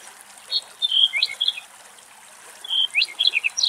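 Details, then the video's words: Singing male black-headed bunting somewhere in Greek nature, filmed from a great distance in strong wind: a short burst of sweet, tumbling notes, a gap of over a second, then another quick jingling phrase ending in descending chirps. "Αμπελουργός Κελάηδημα - Black-headed bunting and song"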